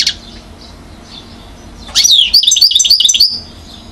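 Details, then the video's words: European goldfinch aged one, Mouzaia, Algeria, 2012. A lone chirp and soft faint notes precede a bright twittering phrase of rapid high chirps and buzzy trills lasting about one and a half seconds. "chardonneret acrobate"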